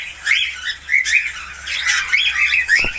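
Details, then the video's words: Budgerigar warbling a busy run of squeaky chirps and slurred whistles, twittering continuously with short breaks. "SIULAN ISTIMEWA FALK/PARKIT AUSTRALIA."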